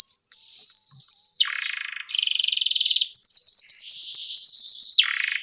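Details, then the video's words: Canary singing a gacor song suitable for baiting: quick high whistled slides, a buzzy roll, then a fast chattering trill of rapidly repeated notes ending in a harsh rasp. "THIS LONG GACOR Canary is suitable for baiting, mastering"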